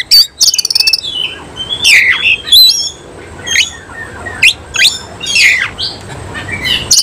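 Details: Caged oriental magpie-robin of the Cililin type, singing with its tail spread: loud varied phrases of high whistles, sharp rising and falling sweeps and rapid buzzy trills, broken by short pauses.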